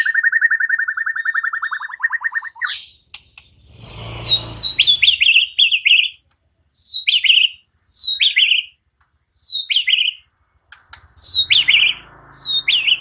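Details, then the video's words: White-rumped shama singing gacor in answer to another shama, unloading its repertoire. A long buzzy rapid trill is followed by a broadband burst, then repeated loud, sharply descending high whistled phrases with pauses between them. "murai batu NYAUT GACOR dan BONGKAR Muatan dengan Kicau murai ini"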